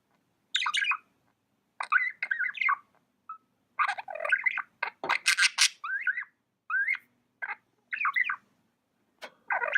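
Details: Pet budgerigar chattering steadily, with repeated bursts of scratchy chirps, squawks and warbled notes, one harsh grating rattle mid-way, continuing in short phrases every half second or so over the whole stretch.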